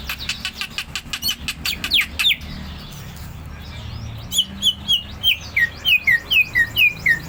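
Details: Greater green leafbird singing in ngentrok style, rapid continuous song: a burst of quick buzzy notes, then a steady run of clear whistled downslurred notes about three per second, with faint background hum.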